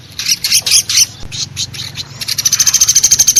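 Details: Lure sound of pelatuk besi, the velvet-fronted nuthatch, played for trapping: scattered bright high chirps at first, then a rapid run of clipped, high-pitched repeated notes building toward the end.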